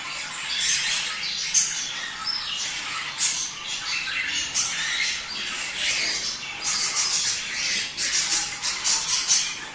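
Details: Budgerigar calls offered to encourage breeding: a busy, high, scratchy chatter with frequent sharp squawks and clicks, growing denser and louder in the second half.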